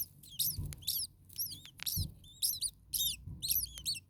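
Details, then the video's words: Common starling nestlings in an overheated nest, with a parent close by, on the second day of watching this nest: thin, high squeaky chirps, often curving up or down, come in quick clusters about every half second, with soft low thumps beneath. "Starling baby birds very hot. Day 2 Nest 2. Mama bird was close by making some noises."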